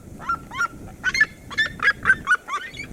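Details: Duet song of the red-legged seriema from the Cerrado: a rapid, crowded series of loud yelping notes about four per second, pitch stepping up and down as two voices interleave, with low background rumble.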